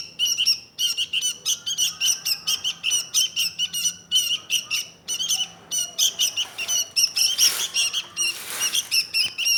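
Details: Sooty-headed bulbul (kutilang), Indonesia: quick repeated scratchy notes in tight clusters, with a couple of brief noisy rustles in the later seconds.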